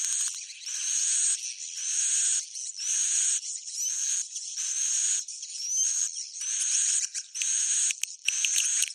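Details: Swiftlets giving a roosting call: hissing buzzy phrases about a second long, coming roughly once a second, with faint rising whistles inside them.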